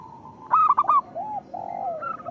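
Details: Local zebra dove singing eagerly, a recording for coaxing quiet doves to call: a quick cluster of sharp stuttered notes followed by smooth, drawn-out descending coos, with soft background noise throughout.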